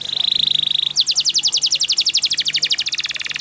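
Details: Yellow canary holding a steady high rapid trill, then breaking into a fast rhythmic series of bright clipped notes repeated several times per second without pause.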